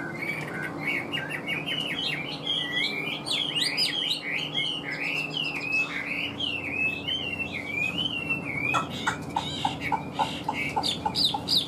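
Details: Chinese hwamei pouring out a fast, continuous stream of bright whistled and warbled notes with frequent upward slurs. Near the end come crisp repeated clicks, all over a low hum.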